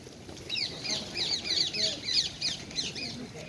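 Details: Wild ringneck parakeets feeding in Hyde Park alongside squirrels, some perched on the feeder; a loud run of shrill, chevron-shaped squawks repeated about three times a second, with faint low chatter and background noise beneath.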